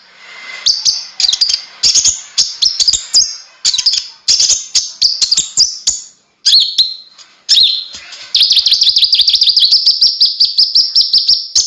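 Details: Vigorous konin (kolibri ninja) song: varied bursts of high, sharp, clicking notes and thin whistles, ending in a sustained, very fast stream of metallic ticks.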